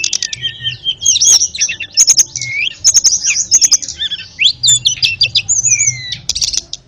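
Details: Ashy tailorbird giving a dense, continuous song, used to train canaries and magpie-robins. High twittering notes, quick slurred whistles and stuttering chirps run almost without break.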